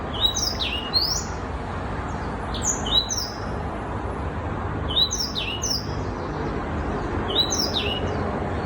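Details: Six-month-old young Black-throated Canary singing short clusters of high descending whistles, roughly every two seconds, each burst of several quick slurred notes, over low continuous noise.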